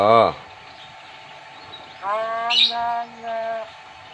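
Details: Young Nias hill myna, a chatty bird just starting to learn to talk, from the Nias islands of North Sumatra, Indonesia. It gives harmonic, voice-like talking phrases, with a sharp squawk partway through and quiet gaps between.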